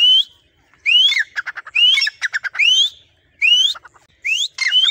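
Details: Trained Grey francolin, unafraid of people, responding to its owner's whistle. Bold upward-sliding whistles alternate with rattling bursts of short pulses, the phrases spaced about a second apart.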